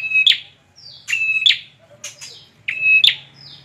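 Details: Bar-winged prinia, called peranjak or ciblek, singing three phrases in about four seconds: each begins with a high, steady whistled note and ends in a sharp, buzzy burst, with a few softer high notes between the phrases.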